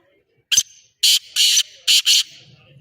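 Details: Black francolin's grating call: one sharp clipped note, a pause, then four harsh rasping notes delivered in two pairs, loud and buzzy against a quiet background.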